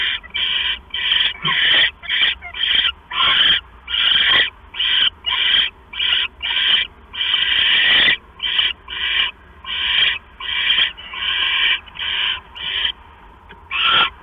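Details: Male owl bringing a mouse to the female at night, 10:52 PM on September 6, 2015; long run of breathy rasping screeches, irregular in spacing and length, some run together, continuing for about fourteen seconds.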